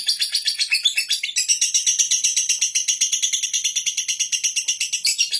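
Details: Continuous ngekek chatter from a lovebird: shrill, rasping notes repeated about four times a second in an unbroken, even stream, with a slight change in tone near the start.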